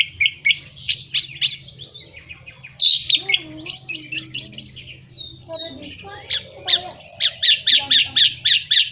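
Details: Lure song of an Orange-headed thrush, meant to prompt moulting or non-singing birds: a rich jumble of sharp high notes, slurred whistles and quick trills, ending in a fast run of repeated chips.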